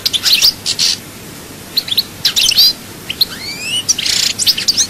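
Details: European goldfinch song from Souk Ahras with harsh buzzy bursts mixed with high twittering chirps and a couple of drawn-out upward whistles, in short separated phrases.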